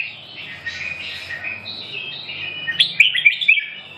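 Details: Red-whiskered bulbul with faint twittering at first, then a burst of bright, clipped chirps in the last second and a half, each note short and sharply inflected.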